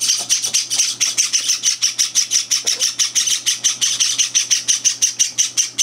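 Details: Java sparrow nestlings at morning feeding, indoors on their third day home, with two older birds intruding: rapid, evenly pulsing scratchy high cheeps, close to three per second, steady throughout over a low background hum.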